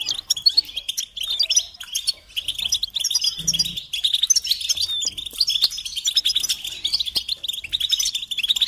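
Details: Rapid, high-pitched goldfinch twittering, dense and lively, mixing liquid chirps with scratchy trills in a near-continuous stream; from a song recording for teaching chicks and songbirds.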